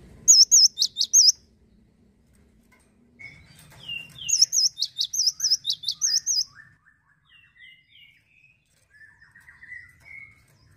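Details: Male cinereous tit singing two quick bursts of sharp, high, ringing repeated notes, with softer thin chirps between and after.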